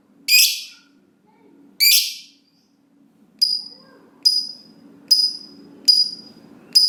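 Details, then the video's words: Lovebird ngekek song meant as a lure to make other lovebirds sing: two harsh shrill bursts followed by a quickening series of short sharp piercing notes, roughly one per second, over a low background hum. "Lovebird Ngekek Panjang Ampuh Lovebird Apapun Jadi Gacor dan Rajin Bunyi Panjang"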